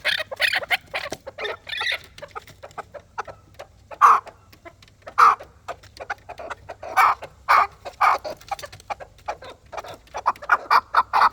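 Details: Fighting chukar partridge giving clustered rough clucks, then single loud chuck notes at intervals that shorten into a quicker run near the end.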